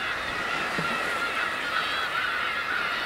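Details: Black-tailed gulls gathered in unusually large winter numbers at Kabushima, Japan, on New Year's Day 2015, a dense chorus of overlapping mewing, nasal calls blending into a continuous clamour over rushing wind and surf.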